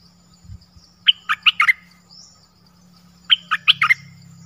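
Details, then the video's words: Nok dok taeng singing its 'phleng boen' song, played for young birds to imitate: two short clusters of four or five clipped, bright chirps, separated by a pause, with a low background hum and a soft knock. "เสียงนกดอกแตงEp.5 Birds sounds เพลงเบิ้ล เปิดให้ลูกนก-ลูกเสอร้องตาม"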